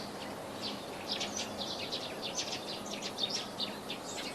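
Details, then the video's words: Sparrows chirping while eating food: a busy chatter of many short, high, overlapping chirps and twitters, rising and falling in irregular bursts over a steady background hiss. "Sparrow Chirping Sound"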